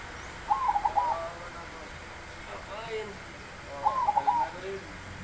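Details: Zebra dove known for its big voice, cooing two rolling, stuttering phrases about three seconds apart, with soft human speech in between.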